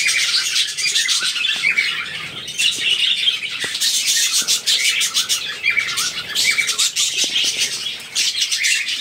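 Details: A busy colony of budgerigars kept outside cages chatters nonstop with bright, scratchy chirps and warbles overlapping.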